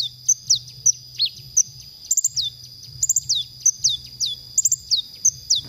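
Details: Konin song from a masteran training recording for songbirds: high, thin downslurred whistles and sharp chips in short clusters, with brief pauses between bursts over a faint low hum.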